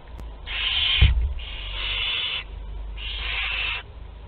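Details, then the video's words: Barn owl chicks aged two to twelve days, group meal at a Théding nest, France, 29 April 2021: three long, hoarse hissing rasps, nearly continuous, over a low rumbling background and a knock. "Repas de groupe (2-12 jours) - 29/04/2021 - Les Chouettes Effraies de Théding"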